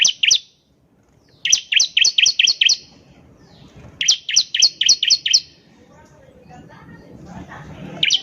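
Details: Energetic bar-winged prinia (ciblek) song used to lure other birds into singing: fast strings of six to seven piercing, down-slurred chirps, two long bursts with short fragments at the start and end, low rustling between.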